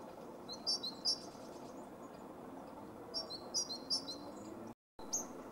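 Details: Male great tit in Zagreb, Croatia, recorded in January and February 2015. Two short runs of sharp repeated high notes, a second apart, with a brief cut of silence before a final note.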